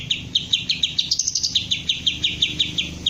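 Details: Ngentrok song from a green leafbird under crest-raising and singing training: a rapid, even series of sharp repeated high notes, close to three per second, sustained throughout.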